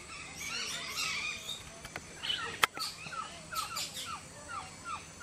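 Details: A male Amazonian White-tailed Trogon calling in the morning at Orinoco Delta Lodge, Venezuela, gives short downslurred notes about every half second, over busy high chatter from other birds and a single sharp knock.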